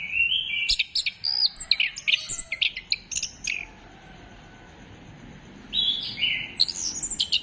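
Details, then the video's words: Orange-headed thrush in full song as a singing stimulus, recorded 15 December 2025: fast, jumbled high whistles and sharp clicks for four seconds, a pause, then another loud burst. "Gacorkan Burung Anis Kembang Dengan Pancingan Suara Ini"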